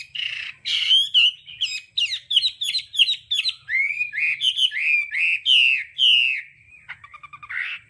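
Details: Hwamei voice-training song in the đảo âm style, with loud slurred whistles rising and falling in a steady stream of short phrases, ending in a softer rattling trill and a final clear note.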